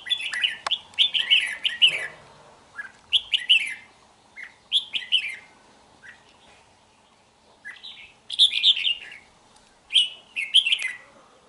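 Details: Caged red-whiskered bulbul from Hòa Bình, Vietnam, more than two seasons old and praised for a very fine voice, recorded 3 March 2023. It gives short bursts of bright, warbled, chattering notes in quick clusters, with several pauses between phrases.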